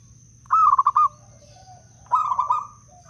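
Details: Wild Blora zebra dove song, used for luring and coaxing other doves to sing. A crisp stuttering coo roll followed by a second, softer rolling phrase, with a thin steady high tone throughout.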